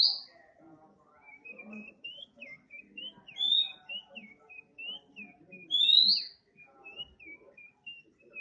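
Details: An oriental magpie-robin, a 'bahan' bird, sings a long rambling series of short twittering notes punctuated by a few louder rising whistles, in 'nembak' style, over a soft background.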